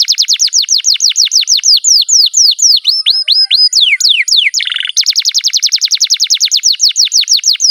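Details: Singing canary delivering a long series of quick downward-sweeping whistled notes, about several per second, with a brief buzzy trill midway before the sweeping notes resume steadily.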